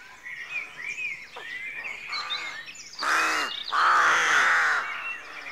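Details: Rooks at a rookery at dawn: a chorus of harsh, hoarse caws, with two long, loud, grating calls near the end over softer scattered calls from other birds.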